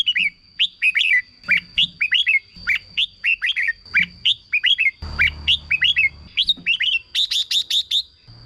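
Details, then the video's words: Caged-bird Red-whiskered bulbul song played to rouse other birds: repeated liquid two- and three-note whistled phrases, ending in a quick run of five high sharp chirps, with a faint constant high whine and brief low rumble. "เสียงนกกรงหัวจุก สำหรับต่อ หรือ เปิดให้นกคึก เสียงเพราะๆ"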